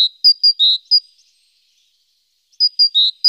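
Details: Great tit busy around the nest box on an April morning, recorded by webcam: a short string of high notes alternating thin and fuller tones, silence, then the same pattern restarting.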